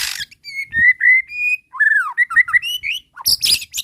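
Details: White-rumped shama, agitated and answering a bait call, runs through fill-ins: steady clear whistles, then a swooping slurred note and a quick string of bright whistled notes, with a harsh rasp at the end.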